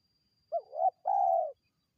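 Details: Spotted dove cooing to attract wild birds, one phrase: a quick wavering double note, then a sustained, slightly falling hollow coo lasting about half a second.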